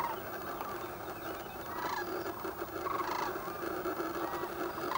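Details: Dense fog over the Platte River in Nebraska's Central Flyway, south of Gibbon, where waking sandhill cranes keep up a steady massed din of overlapping rattling calls, a few nearer birds rising above the background.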